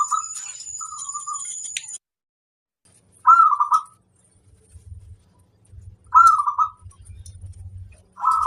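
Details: Local wild zebra dove (perkutut) singing: short, mellow, warbled coos, each about half a second long, in phrases about three seconds apart, with a steady high tone early on and low rumbling noise.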